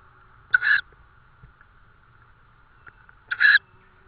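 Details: Tawny owl with prey at the nest in Estonia, May 2013 evening: two short, grating, slightly buzzy calls nearly three seconds apart over a quiet background with a faint steady hum.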